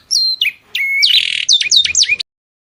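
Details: Brief burst of masteran birdsong: a whistled high note, then a rich buzzy phrase and several quick looping slurs before abrupt silence.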